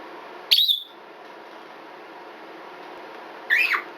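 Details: Female red-bellied parrot, twelve years old, kept as a pet indoors: one piercing, high, smoke-alarm-like scream, then three seconds later a lower, harsher squawk with a rough, wavering note; faint room hiss throughout.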